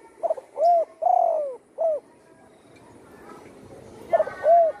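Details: Spotted dove with a wing broken by a hunter's shot, now living at home and in full song: two cooing phrases, each of soft lead notes, a round coo, a drawn-out sliding coo and a short closing coo, with a quiet gap between.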